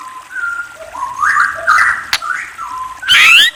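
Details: White-rumped shama song of varied whistled phrases, some rising and some flat, ending in a loud, harsh, scratchy burst.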